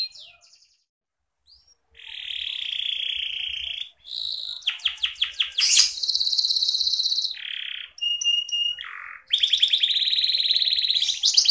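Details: Canary from Petarukan, Pemalang, Central Java, Indonesia, singing a varied song of sustained buzzy rolls, rapid pulsed trills and high whistled notes, shifting between phrases every second or two, loud and clear in a quiet background.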